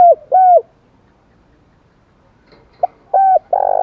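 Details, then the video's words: Stimulating spotted dove coo, aimed at making doves coo fast: two clear falling coo notes, a long silence, then a short click-like note, another falling coo and a rough, sustained coo at the end. "cu gáy kích bổi - cu gay kich boi nhanh noi gù"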